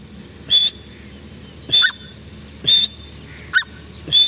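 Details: Grey francolin, known locally as teetar, giving single sharp high whistled notes about once a second, some followed by a lower clipped note, over a steady low background hum.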